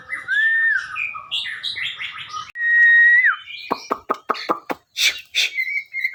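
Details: White-rumped shama in continuous song, varied whistled and warbled phrases with one long clear whistle, followed by sharp clicking notes and a short trill.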